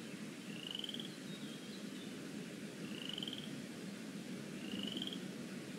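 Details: Decorah North nest eaglets, lazy afternoon, 13 April 2017, with pinfeathers starting to show; three high, thin whistled peeps, each gently rising, spaced roughly every two seconds over a continuous low hum.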